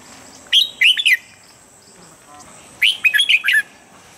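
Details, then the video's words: Red-whiskered bulbul singing a standard morning training song, meant to bring birds quickly into peak form: two short phrases of four to five bright, slurred whistled notes, rising and falling, about two seconds apart, with a steady faint high hiss behind. "Luyện giọng chào mào âm chuẩn mỗi sáng giúp chim nhanh căng lửa"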